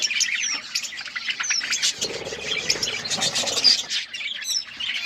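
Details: Multicoloured budgies twitter in a crowded chorus of high scratchy chirps and thin whistled notes, steady throughout with slight swells.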